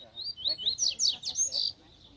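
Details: Free-flying wild Double-collared seedeater drawn toward a caged bird, coming down from the grass: a bright, high song of sweet whistled notes followed by fast buzzy slurred trills in quick succession, lasting under two seconds, with no other sounds.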